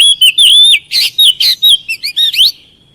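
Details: Song of an oriental magpie-robin, played to prompt silent birds to sing. It opens with a long clear whistle, then short loud chirped notes follow, spaced evenly, and end in a rising slurred note that fades away.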